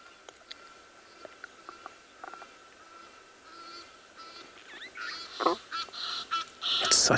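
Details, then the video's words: Egyptian geese calling in the background during a live morning safari in South Africa on 15 August 2021; faint chirps early, then loud harsh honking bursts from about five seconds in, with a guide's voice nearby. "a beautiful audio of birds those are egyptian geese that you're hearing on the background"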